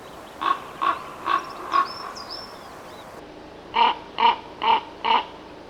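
A Common Raven gives two runs of four deep, nasal, hollow croaks, each run evenly paced at about two calls per second, with a short pause between runs.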